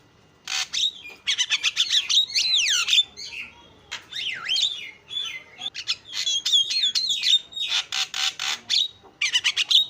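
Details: Javan myna, a very chatty bird: a busy run of harsh squawks and rasping bursts mixed with looping whistled slides and quick chirps, delivered almost without pause.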